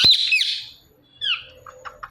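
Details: Indian ringneck parrot pair, male and female, calling in the morning: one harsh, high, grating screech at the start, then a shorter downward-slurred squawk and a few soft clipped notes.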